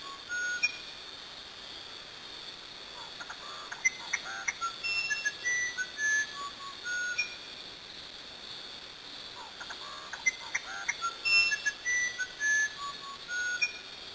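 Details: Brazilian musician wren singing two phrases of pure whistled notes at shifting pitches, interspersed with short ticking sounds, with a pause of several seconds between phrases.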